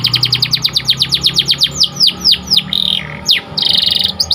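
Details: White canary tutor song for training: a fast train of sharp descending chirps, about four per second, then downward swoops and a buzzy sustained trill.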